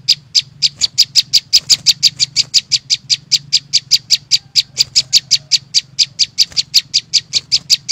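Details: Green flowerpecker singing in the wild: a fast, even run of short, high, sharp ticking notes, about four or five each second, kept up throughout, over a faint low hum.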